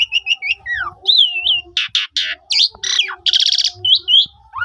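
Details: Asian pied starling song played to stimulate other starlings to sing: a varied, loud medley of whistled notes, rising and falling slurs, harsh buzzy bursts and rapid rattling trills, with short pauses between phrases.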